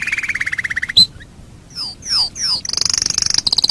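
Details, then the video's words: Canary song used as a master recording for training birds: a low rapid trill, a sharp click, three falling whistled sweeps, then a high, fast rattling trill. "Masteran Suara Kenari"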